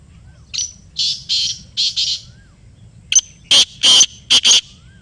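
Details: Answering a played call, a black francolin gives two grating phrases. First comes a softer run of four buzzy notes, then a sharper, louder set of clicking, rasping bursts in a brisk uneven rhythm.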